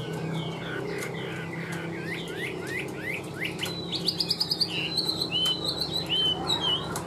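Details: Chinese hwamei kept in a cage, singing well: a string of quick downslurred whistles, then a burst of sharp staccato chips, followed by long pure rising-and-falling whistled notes.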